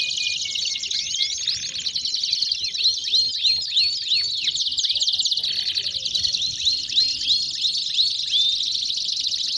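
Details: Belgian canary singing: dense, continuous high warbling with rapid trills and repeated downward-sweeping whistled notes, loud and unbroken throughout.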